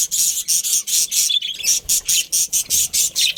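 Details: Budgies from a breeding pair in a colony chattering loudly, with evenly spaced harsh, buzzy chirps about three per second and a brief clear whistle mixed in.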